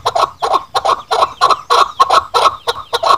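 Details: A chukar (Alectoris chukar), described as calling to a female and used as a hunting call, gives harsh, clucking chuck notes in quick doubled bursts, about three per second, in a steady run without other sounds.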